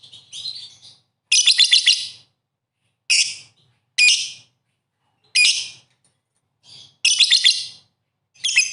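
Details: Lovebird giving short separate bursts of harsh, rasping chatter, each under a second, with silent gaps between, plus a softer thin whistled note at the start.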